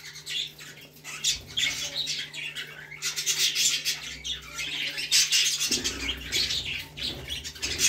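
Cockatiels give bright, harsh squawks and chirps in repeated bursts throughout.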